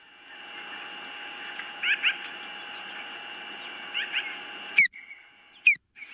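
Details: Ospreys at the nest, filmed by nest camera on 19 April 2024, birds coming and going: paired short chirps near two and four seconds, then two loud, sharp descending squeals near the end, over a steady electrical hum.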